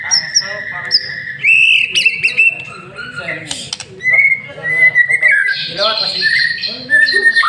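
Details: Lure song of a caged white-rumped shama: steady whistled tones, then bright rising phrases, harsh rattles and a long high buzzy whistle near the end, over a faint low hum.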